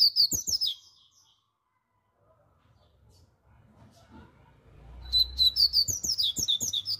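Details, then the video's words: Rusty-collared seedeater, or coleiro pardo, in strong song: a brief high whistled phrase, a quiet gap with low background rumble, then another loud run of rapid, sweeping high chirps. "coleiro pardo Cantando forte"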